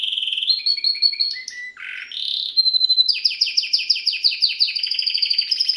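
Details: Canary singing a long varied song: steady whistled notes, short falling slurs, then a fast run of repeated chirpy trills at a quick rhythm; no other sounds.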